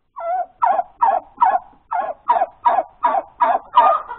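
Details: Hen calling after laying an egg, recorded on the morning of Sunday, 31 January 2021: about nine evenly spaced, strained clucks, each a short falling squawk about every half second, growing slightly louder toward the end.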